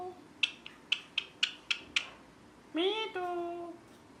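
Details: Pet rose-ringed parakeet produces six sharp, clipped chirps at an uneven pace, followed by a drawn-out, speech-like nasal utterance that rises, then levels off.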